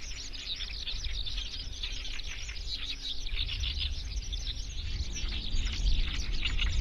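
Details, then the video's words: Eurasian skylark singing a fast, continuous babble of high twittering notes, partly masked by steady low rumbling noise underneath. "Eurasian skylark song"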